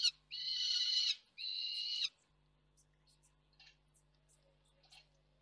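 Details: Young peregrine falcon screaming out of view at a nest site in Reda, Poland, on 3 July 2024; two harsh, rasping, drawn-out screams back to back in the first two seconds, then only faint scattered ticks and quiet.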